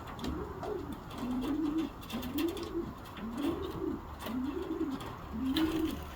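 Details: Young racing pigeons from a 2024 first clutch, kept indoors. Soft, low coos rise and fall in arching phrases, repeated about once a second across six seconds, with faint rustling behind.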